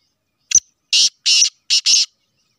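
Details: A Sheedi cross black francolin gives its grating call: one short click, then four rough, strident notes, a pair with a gap and then a close-set pair, against a quiet background.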